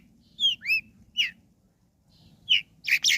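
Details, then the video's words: Long-tailed shrike phrase meant to get quiet shrikes singing: clear slurred whistles, some rising and some falling, then rougher scratchy notes at the end, over a steady low hum. "Bikin Cendet Loyo Kurang Emosi Agar Segera Terpancing Emosi &Ikut Bunyi"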